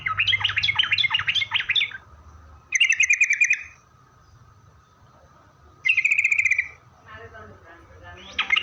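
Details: Yellow-vented bulbul, singing vigorously as a lure for other bulbuls, opens with a bubbly warbled run of rising and falling notes, then gives two rapid pulsed buzzy bursts separated by pauses, ending with another rising note.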